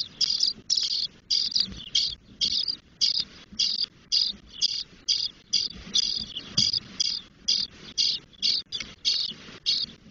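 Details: Ten-day-old Spotless starling nestlings in Doñana National Park, Spain, begging noisily while the female feeds them and removes droppings: rhythmic series of short, harsh, hissing rasps, roughly two per second, separated by clear silences.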